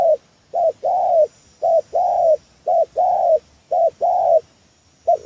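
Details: Lure call of a spotted dove for trapping: a steady run of cooing phrases, a short coo then a longer rounded one, about one phrase per second, low and mellow with a faint background hiss.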